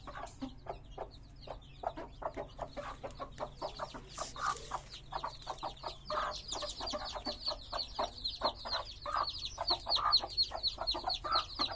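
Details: Colourful hen chicks calling together: a busy flock of shrill, falling peeps repeated about four per second, steady and overlapping, with a faint low background drone.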